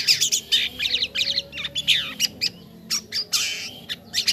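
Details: Jalak kapas starling singing in gacor form, with rapid bursts of harsh, scratchy chatter broken by short rising and falling whistled notes and brief pauses throughout.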